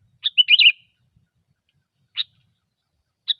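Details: Gecor lure song of a sooty-headed bulbul: a quick liquid bubbling phrase led by sharp notes, then two isolated crisp chirps about a second apart.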